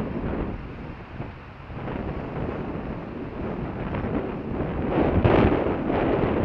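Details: Continuous heavy wind buffeting the microphone, a deep rumbling roar that swells louder toward the end.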